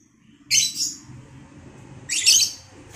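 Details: Lovebird pair from home breeding being matched for mating, giving two loud harsh chirping bursts high in pitch, about 1.7 seconds apart, over a low background hum.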